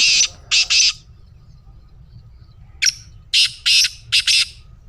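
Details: Black francolin call, used as playback to get a pet francolin calling: a short harsh note and then a grating double note, a pause, then a rasping phrase of several harsh, buzzy notes. Background is quiet.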